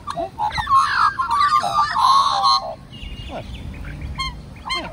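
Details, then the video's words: Magpies from a big group of several families serenade a friendly old man; loud, gurgling, warbled phrases overlap for about three seconds, then quieter scattered notes and a few sharp, clear calls. "Magpie Army Serenades Old Man"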